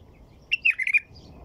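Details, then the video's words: Song of a white-eared bulbul: one bright, bubbling phrase of about five rapid whistled notes, slightly falling then lifting, clean and close against a near-silent background. "تغريد بلبل طور"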